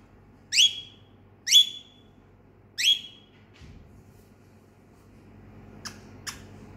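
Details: A pet budgerigar gives a contact call to a companion sun conure: three loud, sharp, upward-sweeping chirps about a second apart, then falls quiet apart from two faint clicks over low room hum.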